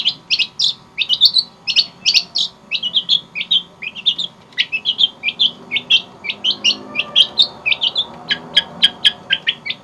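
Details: Javan long-tailed shrike in full, clear song packed with varied fills: rapid run of sharp, high chirps and short slurred notes, each burst about a quarter second apart, continuing almost without pause for ten seconds.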